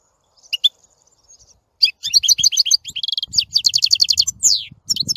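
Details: European goldfinch singing: a few sparse chirps, then a dense, fast twittering run of tinkling high notes with buzzy trills and a descending slurred note near the end, faint low background rumble.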